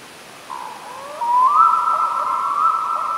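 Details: Black-throated loon calling at 1:00 at night on a lake near Gamleby, Sweden: a long, mournful whistled wail sliding upward then holding steady about two seconds, with faint hiss.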